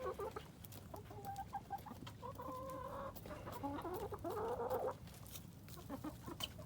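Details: Several chickens at a Colorado Springs urban farm, some pecking at a pumpkin, murmur in overlapping clucks and a wavering, climbing squeal, with clicking knocks throughout.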